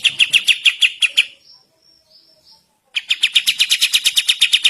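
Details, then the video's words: Kapas tembak sooty-headed bulbul in lively morning song for training birds: fast, evenly paced sharp notes, a pause of nearly two seconds with faint thin whistles, then another rapid run of about twenty notes. "Burung Kapas Tembak Gacor Masteran Pagi Hari"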